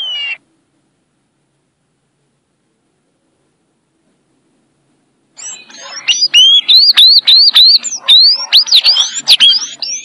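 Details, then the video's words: Sayaca tanager in "violin" song style: one short squeaky note, a long silent pause, then a rapid, excited string of high upslurred and zigzag whistled notes running continuously to the end. "SANHAÇO AZUL - Canto Violino"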